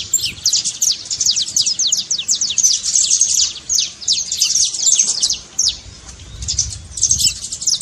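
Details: Saffron finch trincado song for stirring a silent bird to sing, with long rapid volleys of thin high descending chirps, a short lull near the middle, then more bursts.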